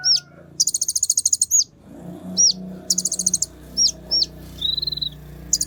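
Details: Fired-up Kolibri Ninja sunbird song meant to stimulate other birds: very high rattling trills alternating with quick hooked whistles and one short level tone, with a faint low hum beneath.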